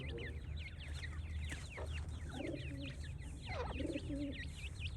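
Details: Francolin chicks giving a dense stream of high, rising and falling peeps, rapid and overlapping, with a few lower soft notes mixed in and low background hum.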